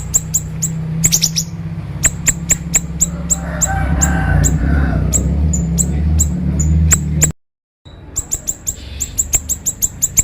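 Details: Siri-siri bird, recorded as training material for other birds and said to sing vigorously with a sharp voice; rapid high piercing chips, some doubled, over a steady low hum, with a brief silent gap before the chips resume.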